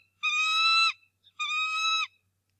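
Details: Two long, ringing, piercing screams, each under a second with a short gap, from the male bald eagle at the Decorah North Nest as he angrily drives off an intruder, morning, March 2, 2018.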